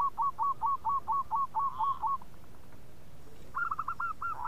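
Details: Perkutut, a local zebra dove, cooing in bekur style for a lure recording that draws quick replies. About a dozen crisp hooked notes in a steady rapid train, then a pause and a second, rougher series.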